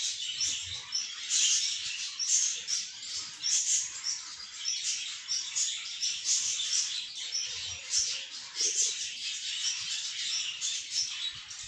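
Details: Budgerigar chicks reacting outside the nest for the first time: a dense, continuous high chatter of many overlapping squeaky calls that swells and fades in waves, with faint low thumps.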